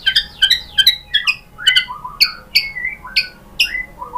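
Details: White-rumped shama in Indonesia, its song used to goad a caged shama into replying: a quick series of sharp, downward-sweeping chipped notes, roughly three per second, ending in lower slurred whistles.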